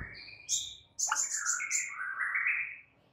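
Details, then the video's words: White-rumped shama song used as a training recording for stressed birds: high chips and clear whistles, a burst of rapid very high trilled notes, then longer slurred whistles sliding down and up. "MASTERAN untuk Murai Batu Stress"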